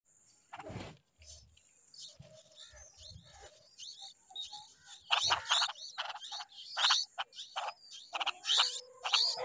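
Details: A large green insect-eating bulbul gives harsh, chattering bursts of notes, quickening in the second half, over a thin steady high whine and a few low handling thumps.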